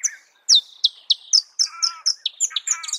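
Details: Marico sunbird in natural habitat giving a busy, continuous sequence of high slurred chips mixed with buzzy, harmonic twitters, without pause.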